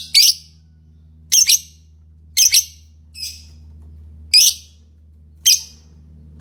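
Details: Shrill, scratchy lovebird chirps, single and paired, repeated irregularly about once a second, one softer call among them, with a low hum behind.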